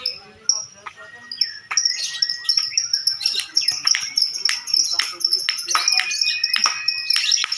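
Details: Contest lovebirds singing ngekek: rapid, shrill twittering chatter that swells after a quiet opening, with sharp clicks and thin whistled notes woven through, and many birds sounding at once.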